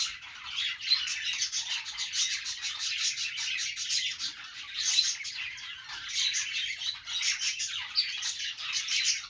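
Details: Budgerigars in a happy mood keep up a busy, steady warble of rapid chirps and scratchy squeaks, with many short tweets layered over a constant chattering background.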